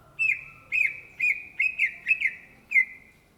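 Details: Greater green leafbird (Chloropsis sonnerati), called cucak ijo in Indonesia, delivers eight ringing whistled notes, loosely spaced and clustered in the middle, each with a downward curl. A continuous high tone links them over a faint low hum.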